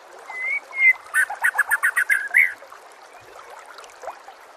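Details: White-rumped shama master song for teaching other birds: two clear whistles followed by a rapid string of about eight short chattering notes, then a soft faint note.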